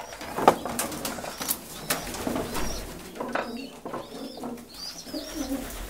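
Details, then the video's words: Homing pigeons: a few thin, high, arched whistles and low soft cooing murmurs, interrupted by sharp clicks and wing flutters. "Gołębie pocztowe"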